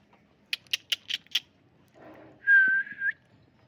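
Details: Talking pet parrot in a room: five quick sharp clicks or taps, a soft murmur, then a clear, steady whistled note held for about half a second with a slight rise at the end.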